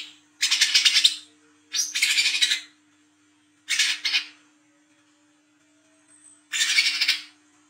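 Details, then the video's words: Harsh scolding chatter from a 'wiceh trotol' sunbird recorded at night, the 'ngriwik' lure sound for coconut sunbirds: four loud rasping high bursts with gaps of about a second, low hum in the background. "KOLIBRI KELAPA WICEH TROTOL GACOR NGRIWIK NGLAGU MENTAL JAHAT/PANCINGAN KOLAP"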